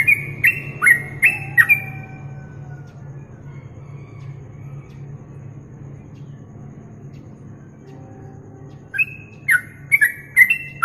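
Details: Yellow-vented bulbul song on a masteran recording used to train contest songbirds: bursts of clear, bubbly whistled notes at the start and again near the end, separated by several seconds of low background hum.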